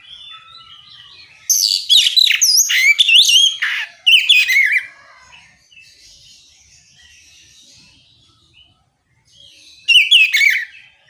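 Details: Oriental magpie-robin singing to provoke other magpie-robins to join in; a long rush of loud, varied whistled and trilled phrases, a quiet spell with faint distant song, then one more loud burst.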